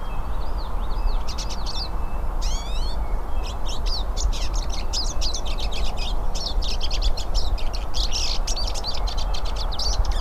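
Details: Several hooded siskins sing in the wild, opening with a few rising whistled notes, then breaking into sustained rapid, high twittering chatter, backed by steady low background noise.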